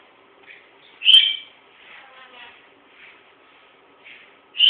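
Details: A pet parrot named Monty, caught while talking, gives a loud sharp whistled squawk, then soft murmured chatter and a few quiet chirps, ending in a second loud squawk.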